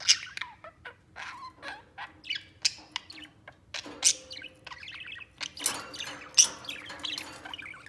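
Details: Budgerigar chatter from three birds at play, living peacefully together: rapid high chirps, squeaky warbles and clicks tumbling over one another, louder peaks every second or so.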